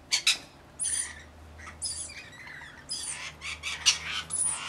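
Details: Uneven bursts of raspy squawks and chatter from rainbow lorikeets bathing and feeding, two quick sharp notes first, then longer grating calls.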